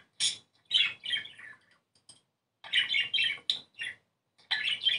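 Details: Budgerigar song played to stimulate breeding; bursts of sharp chirps and scratchy warbled notes separated by short silences, with a longer chattering phrase after a gap near the middle.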